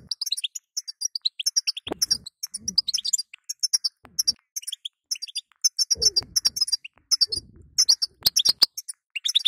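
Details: Female goldfinch calling to rouse a weak male: a nearly continuous stream of quick, high, tinkling chirps and liquid twitters, broken by occasional sharp clicks and dull low knocks.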